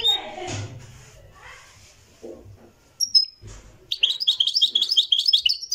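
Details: Moroccan goldfinch, Marrakchi singing tradition, live recording: people talking, a single sharp high note, then a lively burst of rapid tinkling twitters to the end.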